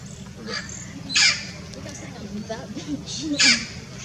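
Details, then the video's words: Blue-fronted x Red-crowned Amazon parrot hybrid at Irvine Regional Park, Irvine, California, on a winter day, January 9, 2018, giving two loud, harsh, raspy squawks about two seconds apart, with fainter shorter calls between and low background rumble. "Blue-fronted X Red-crowned parrot"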